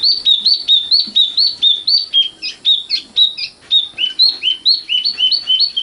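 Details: Common nightingale (sikatan londo), noted for a sweet song with sharp parts: a long steady stream of loud clear whistled slurs, about four per second, hooked and slightly varied in pitch, with no other sounds.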